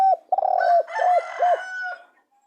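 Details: Spotted dove giving low, hollow cooing notes, several soft coos run together in a short phrase with a brief gap, the last note trailing off quietly.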